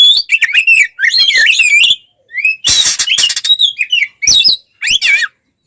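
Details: Warbling, looping whistles from an Oriental magpie-robin (kacer) singing in tarung konslet fighting style to provoke other magpie-robins, rich twisting phrases broken by a rasping burst and short pauses.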